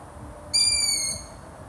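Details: Long-eared owl giving a single high, thin squeal lasting about half a second, steady and slightly falling in pitch with bright overtones, over a quiet low background hiss.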